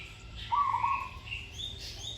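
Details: A training zebra dove with a sweet voice gives a single burbling coo phrase lasting about half a second, followed by thin, high chirping from other birds.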